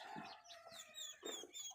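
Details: Quail around egg-laying time, several birds calling over one another: soft, throaty clucks about every half second beneath thin, high chirps and squeaky whistles.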